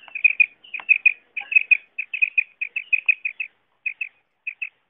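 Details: Common quail call used to attract birds for hunting. Quick paired and tripled notes run in a dense, fast series, then space out toward the end.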